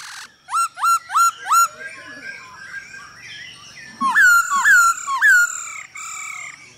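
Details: A male Hwamei sings to a female's calls, recorded for bird training: four loud rising whistles in quick succession, a quieter warbled stretch, then three more strong upslurred whistles with a brief low sound.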